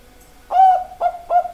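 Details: Zebra dove of the Bangkok perkutut type singing: three clear, mellow coos at a steady pitch, each starting with a brief upward lift and then held, spaced about half a second apart.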